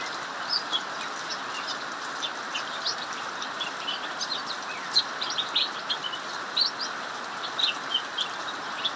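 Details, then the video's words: Cucak mini singing nonstop in an aviary during heavy rain; scattered high, thin chirps and short twitters keep coming over a steady roar of rain. "Burung cucak mini Ngacor saat hujan deras"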